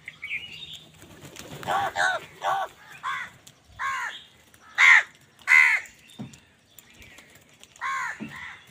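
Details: Angry crow calling while wild birds fight with crows for food: a string of about eight loud, arched, harmonic caws in irregular bursts, some paired closely, with gaps of silence and faint wing flaps between.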